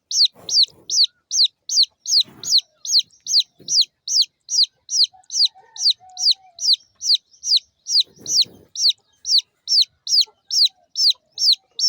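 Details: Chirping of small chicken chicks: a long, steady stream of piercing, high peeps, each falling in pitch, over two per second without a break. Occasional low thuds and rustles sound underneath.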